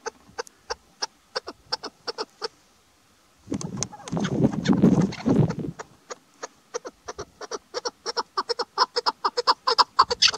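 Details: Female chukar partridge calling, used as a hunting lure during the hunting season: rapid clipped clucking notes about two per second, a burst of rustling noise partway through, then quickening, louder chuck notes.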